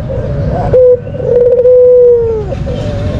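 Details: Single lure call from a white Barbary dove: a short steady note, then a long, level, slightly trilled coo that drops off at the end, heard over low background noise.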